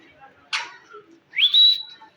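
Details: Pet Indian green ring-necked talking parakeet: a short noisy burst, then a rising whistled note that sweeps up and holds steady, over a quiet background.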